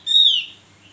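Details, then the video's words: A lively Javan grey-throated white-eye gives one loud, high, slightly buzzy note that holds steady, then slurs downward and fades within half a second. "Opior Jawa gacorr Emosi tinggi masteran kicau"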